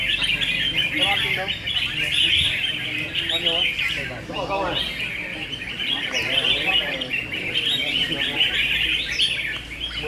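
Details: Several red-whiskered bulbuls (Pycnonotus jocosus) sing together in a singing battle, round 4: a dense, continuous stream of bright, chattering warbles and chirps, with people talking in Spanish in the background.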